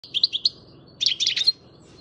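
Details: Young European goldfinch, seven months old, from Macedonia, singing: a few bright twittering chirps, a short pause, then a dense burst of rapid tinkling, liquid notes, over a faint low hum.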